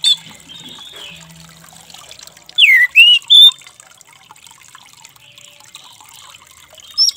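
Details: An orange-headed thrush gives a short burst of loud, varied whistled phrases with a dropping slur, over a steady watery hiss and a few faint chirps.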